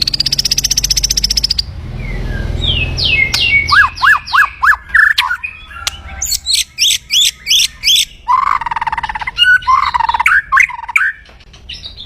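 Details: Loud kretekan crackling of an aggressive white-rumped shama, played to provoke rivals: a high buzzing rattle, then a rapid series of sharp descending notes and clipped chatters, about three per second.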